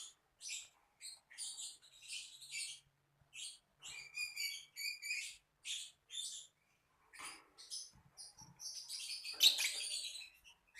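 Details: Lovebird giving a fast series of short, shrill high-pitched chirps and squeaks in bursts, building to a denser, louder chatter near the end.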